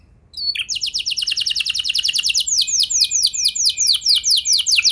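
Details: Canary singing as a lure so other canaries join in with long rolls: a quick, steady high trill rolls on for seconds before loosening into slower, deeper falling sweeps.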